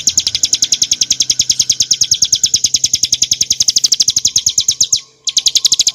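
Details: Bar-winged prinia of the montana subspecies, recorded as tutor song for cage birds: fast, evenly repeated high chirps streaming for five seconds, then a brief silent break before the chirping resumes.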